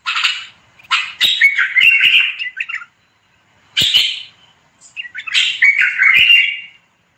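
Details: Bulbul song in three bouts of quick, scratchy, warbling notes broken by short pauses. The phrases slide and wobble, with sharp clicks mixed in, and there is a silent gap between bouts.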